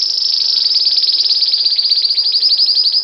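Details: Belgian canary in bell-like campainha song, delivering one continuous rapid high trill with slight wavering pulses for three seconds, loud and clear with no other sounds.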